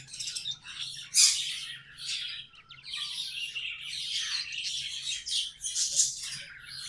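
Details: Continuous chattering song of pet budgies, scratchy twittering phrases with a few sharper, louder squeaks standing out, over a faint steady low hum.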